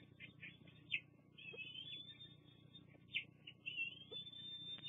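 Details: Bald eagles on a Fraser Point nest cam, 24 June 2022, during a quick food drop by the adult female for two young. High piping whines and sharp chirps in short phrases over a faint steady background hum.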